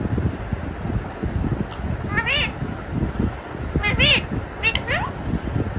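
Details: Pet parrot mimicking speech, said to say papa and mummy: a few short, harmonic, arching vocal phrases with gaps between them, over a steady low background hum.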